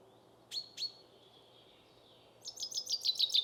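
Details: Two sharp, high notes from a common chaffinch, a species singing from April until early July, are followed after a quiet gap by the start of a rapid, bright, repeated trill.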